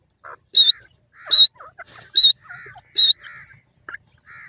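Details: Francolin in the wild, locally called Bangi Teetar or Dakhni Silver Teetar, singing a series of piercing high notes spaced under a second apart. Softer, lower chirping and chattering calls from other birds fill the gaps.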